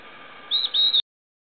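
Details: A Stripe-backed Antbird in northeastern Brazil gives two thin, high whistled notes in quick succession, lasting about half a second, over a faint steady hiss.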